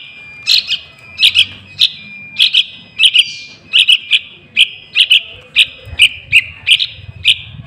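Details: Young Yellow-vented Bulbul calling as a lure for wild birds: crisp double chirps repeated rapidly and steadily through the recording, every half second or so, with faint low noise.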